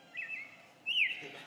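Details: An American robin gives two clear, high whistled notes: a thin steady one, then a brighter note that rises sharply and slides down, over faint background hiss.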